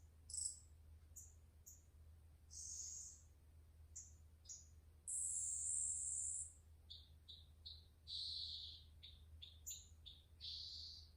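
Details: Green-backed twinspot song: thin, very high notes and short upslurred whistles, then a sustained buzzy high note midway, followed by quick clipped chips and a final drawn-out high note, over a faint low steady hum.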